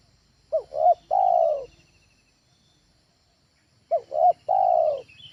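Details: Two matching phrases from a spotted dove used to lure birds at home, each two short hoots and a long falling coo, about three seconds apart.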